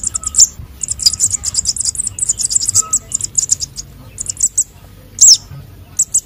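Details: Sunbird chicks of the konin and sogon types, used to draw in birds: a fast, continuous high-pitched chattering twitter, then a pause and a few louder, sharp down-slurred notes near the end.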